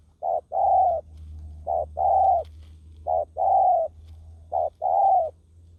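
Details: Decoy spotted dove calling to lure wild doves: steady paired coos, a brief note then a longer throaty rolling note, four times at an even rhythm, over a low background hum.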